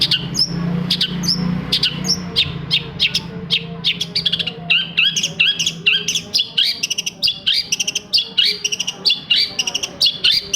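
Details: Long-tailed shrike singing, used as a lure to get silent shrikes singing again. Quick, varied phrases of high whistles and twittering notes pour out almost without pause, with a faint low droning hum beneath.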